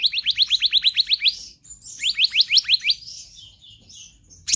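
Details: Black-naped Monarch in energetic, constant full-variety song for bird training: a fast run of about ten short rising whistled notes, a brief pause, then another run of six, trailing into soft high twitters.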